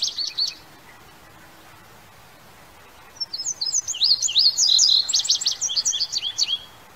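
A bluebird gives a short opening phrase, then a quick run of high, warbled, twisting notes for about three seconds against a quiet background.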